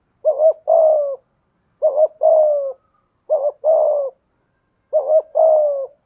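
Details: Decoy spotted dove with a prized 'thổ' voice style, cooing in a quiet setting: four two-part phrases, a short doubled note and then a longer falling coo, repeated every one and a half seconds.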